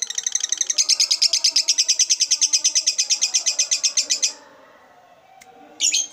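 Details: Lovebird giving its long chattering ngekek song: a fast run of sharp, high, buzzy pulses that repeats steadily for about four seconds, then goes quiet before a short burst at the end.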